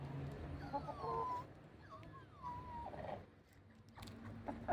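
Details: A rooster that seems to be straining, which the owner suspects is constipated, gives two odd, strained, whiny calls about a second apart, each sliding downward with a wavering pitch, over a low background hum.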